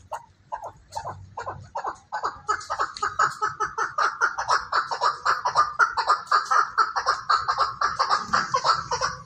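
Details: Chukar partridge from Pakistan giving a long series of short, harsh chuck notes that start sparse and accelerate into a rapid, steady rally of about two per second, with a faint low rumble underneath.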